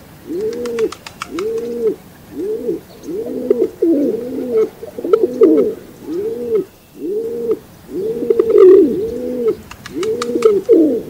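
Rock pigeons coo low and throaty, soft rolling notes repeating about once a second, sometimes overlapping, with faint high chirps of small birds behind.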